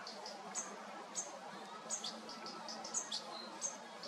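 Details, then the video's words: Baby European goldfinch fed by the mother, August 2022: separate high, squeaky chirps about every half to one second, with fainter notes between and a low background hum. "Feeding Time Baby Goldfinch"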